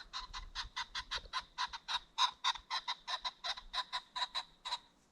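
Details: A ring-necked pheasant along a creek bottom at sunset gives a long run of harsh, clucking notes, about four per second for five seconds, steady in pitch, with no other clear sounds.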